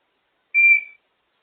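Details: African grey parrot, a pet enjoying time out of its cage, gives a single short pure whistle, steady and slightly bright, lasting under half a second in an otherwise silent room.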